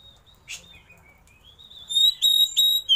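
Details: Oriental magpie-robin giving 'isian'-style song with a tail-opening display. A quiet, sustained high whistle with one short harsh burst builds to loud, ringing, pure whistled notes at the end.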